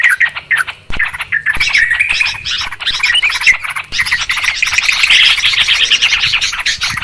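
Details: Noisy, agitated calling of Yellow-vented Bulbuls, a clear recording used as a lure for trapping birds; dense, overlapping bursts of harsh chirps and squawky twitters run on without a break.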